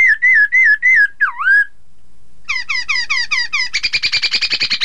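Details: Chinese hwamei, a song played so rival birds join in: four clear level whistles and a dipping swoop, a short silence, then rapid falling chips building into a fast buzzy trill.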